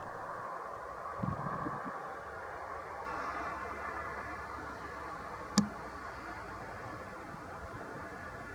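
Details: A quiet, muffled background hiss with a few soft thumps and one sharp click, and no animal calls.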